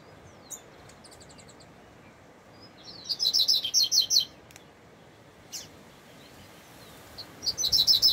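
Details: Double-collared seedeater singing in the bush: a faint early phrase, then a loud run of rapid, high, sharp chirped notes, a lone note, and another quick burst of high chirps near the end, with steady low background noise.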